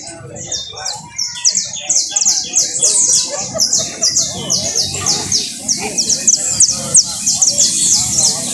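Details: Canary trill: a rapid run of high, clipped notes repeated in tight rolls that grow steadily louder, with faint Spanish conversation underneath.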